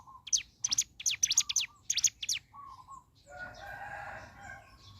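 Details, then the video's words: Ciblek gunung in the morning giving several bursts of piercing high, falling chirps with brief low whistles, followed by a rough, noisy clucking sound from another bird. "Suara Asli Ciblek Gunung Gacor Pagi Hari"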